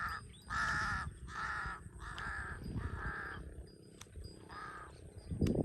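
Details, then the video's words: Large-billed crow, known locally in Cambodia as the thief-bird, calls in a steady run of six loud, raspy caws, then pauses; a soft thump ends the stretch amid low background rumble. "Large-Billed Crow"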